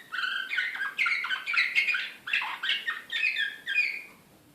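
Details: Serbian Slavujar canary in Belgrade, 2016, singing with excitement: dense bursts of high chirping trills and whistled slurs arrive in rhythmic groups, then fade into quiet near the end.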